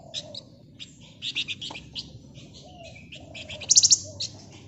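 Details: Flamboyan bird singing actively in ngebren nyerecet style as a lure: a run of quick high chips and buzzy twitters building to a loud rattling trill near the end.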